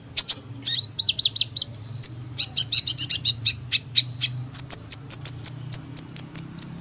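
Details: Sunbird chirping: rapid high thin notes, first slurred downward pairs, then a steady series of sharp ticks roughly every quarter second, ending in bright high chips repeated evenly.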